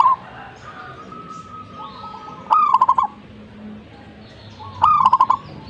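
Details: Energetic zebra dove song: two rolling, stuttering coo phrases about two seconds apart, each starting with a rising note and accompanied by clicks, over constant low background noise with faint other bird notes.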